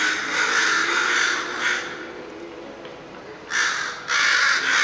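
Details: Crows in a serenade: a run of rasping caws, then a quieter lull of about a second and a half, before loud harsh calls resume in two strong bursts.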